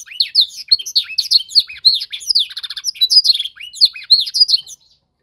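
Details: Young canary in singing training, learning to copy a master song: rapid high chirps, slurred whistles and rattling trills, fading out at the end.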